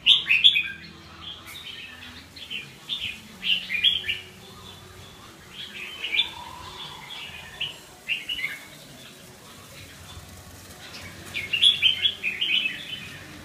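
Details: Red-whiskered bulbul giving bright chirping phrases in short bursts, bunched around 0.5, 3.5, 6, 8 and 12 seconds, with quiet stretches between and a low background hum.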